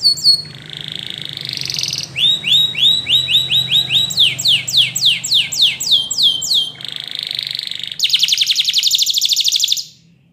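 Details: Spanish Timbrado canary song meant to teach other canaries: a buzzy rolled trill, a run of quick falling whistles, bell-like repeated notes, then a loud rapid metallic rattle near the end.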